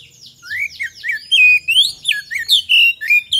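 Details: Magpie-robin singing continuously as a lure to prompt other birds. Sweet whistled notes and sweeping slurs follow each other rapidly in a varied, musical phrase with faint chirps behind.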